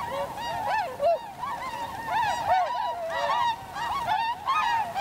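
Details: A flock of tundra swans (Cygnus columbianus) recorded 7 February 2015 in winter, shown landing and flying in V formation, call continuously with overlapping mellow, bugling hoots and yelps in a steady chorus.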